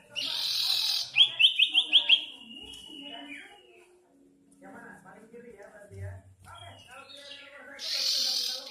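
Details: Young hand-reared sooty-headed bulbul, still in juvenile plumage, practising its song: a quick run of five or six sharp, high chirps, then faint wavering notes, framed by loud bursts of hissing noise at start and end.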